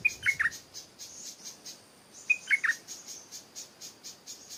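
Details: Stripe-throated bulbul singing in Thailand, a short phrase of three clear notes stepping downward, given twice about two seconds apart, while a buzzing insect chorus pulses steadily in the background.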